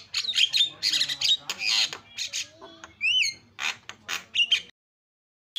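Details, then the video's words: Javan myna giving harsh squawks and rasping bursts, broken by a clear double upslurred whistle, before the sound suddenly stops. "SUPER BERISIK JALAK KEBO SUARA ISIAN"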